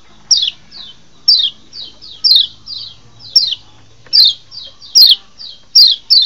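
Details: Kecial lombok white-eye lure recording, played to stir wild birds into mating excitement: sharp downslurred high chirps about once a second, each trailed by softer, fading repeat notes, with faint low hum beneath.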